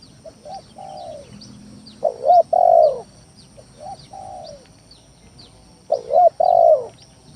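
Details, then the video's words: Repeated lure song of a spotted dove used to challenge rivals: quieter coos alternate with two loud, husky coo phrases, each closing on a drawn, slightly falling note, with small birds twittering faintly. "Suara Pikat Tekukur Tanah full gacor Nekan lawan"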